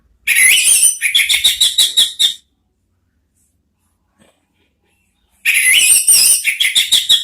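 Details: Orange-headed thrush (anis merah) singing ngeriwik-style: a rapid series of scratchy, stuttering whistled notes for two seconds, a three-second silence, then another similar fast chattering run.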